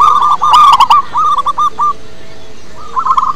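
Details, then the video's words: Local wild-type zebra dove used as a lure: a quick rippling run of coo notes that slows into a few spaced hooked notes, then quiet, then a fresh short trill, with clicking early on. "Perkutut Lokal Alam Suaranya Bagus"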